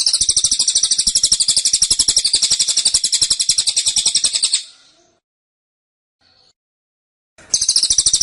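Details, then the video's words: Persistent 'tembakan' trilling from a caged Black-winged Flycatcher-shrike (cililin): a long, shrill, fast-pulsed run for over four seconds, nearly three seconds of quiet, then the trill resumes. "Tembakan Cililin Suara Rapat Dan Ngotot"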